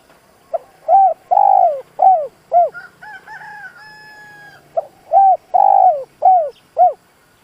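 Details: Decoy spotted dove in a cage, cooing to provoke wild doves: two repeated phrases of low, hollow coos with falling endings; between them a higher, drawn-out crowing call from another bird is heard.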